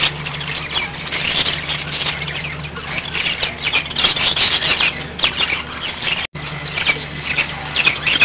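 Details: Several pet budgerigars warbling together in a steady stream of high, buzzy chirps and squawks, with a brief dropout partway through before the chattering resumes.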